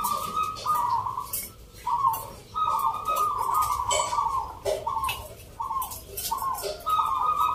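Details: Zebra doves, known as perkutut, in a local rhythm-style singing contest at Yogyakarta, Indonesia, held 19 November; rapid series of short, bubbling coo notes in broken phrases over crowd noise.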